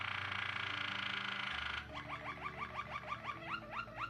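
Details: White Waterslager canary, a Belgian song breed praised for a soft, sweet, water-like song. A loud, broad rushing noise gives way to a string of quick rising notes, repeated about twice a second.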